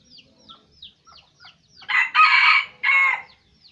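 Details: A string of short falling chirps leads into a loud, rasping two-part crow from a red junglefowl of Aceh, kept as a lure bird.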